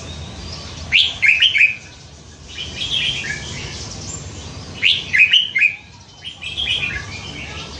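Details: Pet Red-whiskered bulbul, nine months in captivity and praised for singing many different songs, delivers repeated bursts of bright, tumbling, warbled notes roughly every two seconds, with clean pauses between phrases.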